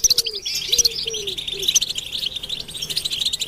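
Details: Goldfinches chattering in a recording used to rouse males to sing: busy high twittering and chirps throughout, with a few low soft cooing notes from another bird in the first two seconds.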